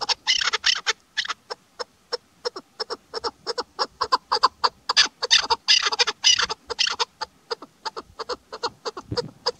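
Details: Female chukar partridge calling during hunting season, the voice used as a hunting lure: a rapid run of sharp, harsh clucking notes, roughly three per second, in uneven bursts with short pauses.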